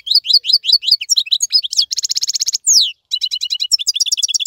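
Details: Khalawi European goldfinch keeping its song while other birds molt; quick twittering chirps, a sustained buzzy trill, a sweeping downward note, then more rapid tinkling twitters.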